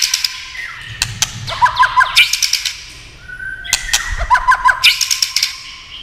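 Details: White-rumped shama stimulated to sing by tail-tapping: two similar phrases, each a long steady whistle followed by quick descending notes and crisp clicks.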